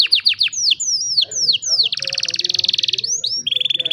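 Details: Young canaries being trained, recorded by cellphone: a series of sharp down-slurred whistles, then a long buzzy rapid trill lasting about a second, closing with a steady fast higher roll.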